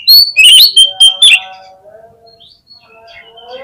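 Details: Brief loud burst of Oriental magpie-robin song used as a lure for response and tail display: a second of sharp, high, rapid whistles and chatters, then fading to soft faint tones.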